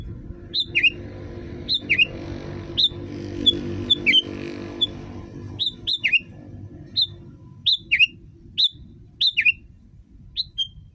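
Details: Sooty-headed bulbul (kutilang) tutor song to set other bulbuls singing: a long run of clear falling whistles, single and paired, spaced about a second apart, with a steady low hum and brief fainter notes midway.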